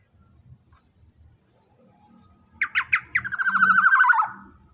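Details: Black-naped oriole, described as big-bodied and loud, gives a single phrase after a faint low rumble. Three quick, clear rising notes lead into a fast, rattling trill that gradually drops in pitch.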